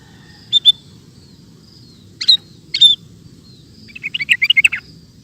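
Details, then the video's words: Kutilang (sooty-headed bulbul) recorded for training cage birds: a few separate sharp chirps and short notes, then a quick run of about eight bubbly whistled notes near the end, quiet hum behind. "Suara Burung Kutilang Gacor Cocok Untuk Masteran"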